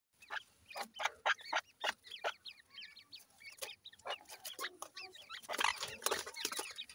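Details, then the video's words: Dakhni teetar, grey francolin, heard for comparing male and female voices: rapid broadband clicking notes, irregular, with short high chirping squiggles between them, about four per second. "dakhni teetar male female difference,voice checks titur"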